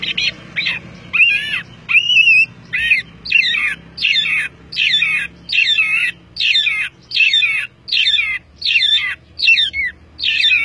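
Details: Orange-headed thrush giving a gacor-style training song rich in fill: a steady run of similar short, tangled high phrases repeated at a little over one per second, with a low hum underneath.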